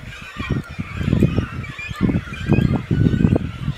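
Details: Cormorants nesting at a colony at Khetsuu Khad, Mongolia: low, guttural croaking pulses from several birds overlap in irregular bursts, with a steady background rumble.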